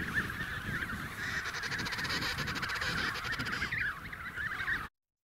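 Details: Emperor penguins at Snow Hill give warbling, trumpet-like calls that waver rapidly in pitch, with a low rumble beneath; one bird keeps looking at other penguins and fails again.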